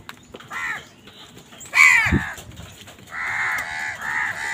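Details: Crows squabbling with wild birds over food give a few scattered harsh caws and a brief low thump. A run of long, drawn-out nasal caws follows, repeated with small gaps.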